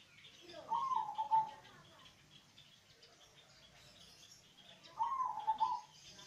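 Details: Local zebra dove with a bass voice, singing to lure other doves into song: two bubbling, pulsed cooing phrases about four seconds apart, softer chirps between them.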